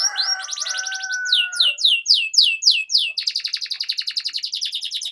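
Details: Canary singing a long lure phrase for training young canaries to sing; a series of clear descending whistled sweeps, then a fast rattling trill, with faint steady tones in the background at the start.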